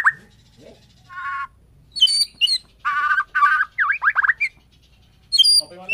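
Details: In the morning a white-rumped shama of the Borneo type sings a mix of harsh chattering bursts, buzzy rattles and sharp V-shaped whistled notes, with high clear whistles at the end.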